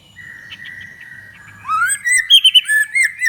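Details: Energetic 'gacor' white-rumped shama, song intended to stir other shamas to sing: a soft drawn-out whistle, then a loud rising slur and several ringing, slurred whistled notes.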